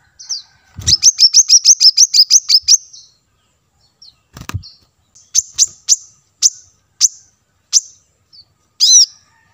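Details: Plain-throated sunbird, used as lure audio to draw wild birds: a fast run of about eleven high, sharp chirps, a pause, then single thin chirps spaced roughly every half second, ending in a fuller double note.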